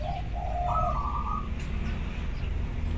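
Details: A local zebra dove in breeding condition sings loudly: a soft, rippling cooing phrase that rises and then falls back, over a steady low rumble of background noise.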